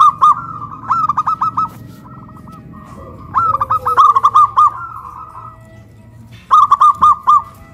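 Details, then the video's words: Zebra doves from Kuningan, West Java, singing loudly after being raised on a pole, a big-voiced local bird against a crystal-voiced one. Three bursts of rapid, pulsed coo notes come about every three seconds, with a low rumble of background noise. "PERKUTUT LOKAL SUARA BESAR VS SUARA KRISTAL"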